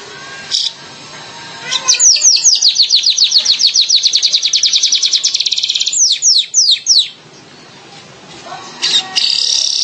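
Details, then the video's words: Streaked weaver calling in a long rapid string of high, sharp chirps with a few louder downslurred notes at the end, set against steady low background noise. "SUARA BURUNG MANYAR KEMBANG"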